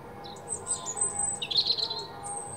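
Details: European robin singing in the morning: high thin warbled phrases with sweet trills and quick twittering notes, a rapid tumbling run in the middle, over a quiet background.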